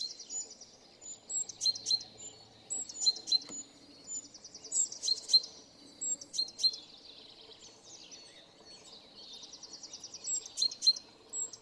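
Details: Great tit's energetic spring song in Shipov Forest, Voronezh region: rapid, high, bright chirps and short ringing trills in quick bursts, unlike its February–March calls, with a low hum in the background.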